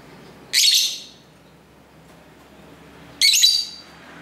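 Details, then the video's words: Pair-chatter of pet lovebirds at home, captured by a camera's internal microphone near a main road: two harsh, buzzy, high-pitched squeals about two and a half seconds apart over a faint hiss. "Love Bird Sounds"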